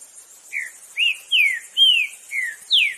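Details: Free-living green-winged saltator in the wild giving six rich whistled notes in quick sequence, mostly descending slurs with one rising note, over a soft high-pitched insect drone.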